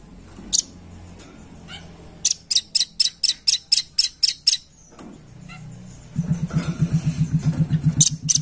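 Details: Luring call of a red-billed blue magpie: an isolated sharp note, then a rapid run of about ten high, clipped notes, after which a low pulsing hum takes over with a few more notes at the end.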